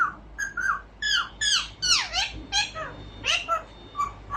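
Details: Albino ring-necked parakeet kept as a pet indoors, talking: a quick run of varied, squawky, bending notes with rising and falling slides, some sharp and high, uttered in bursts about a second apart.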